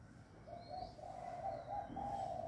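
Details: A dove coos to greet the new day of the year as neighbouring doves keep calling: a run of soft, evenly pitched coo notes strung together for about two seconds, steady and mellow.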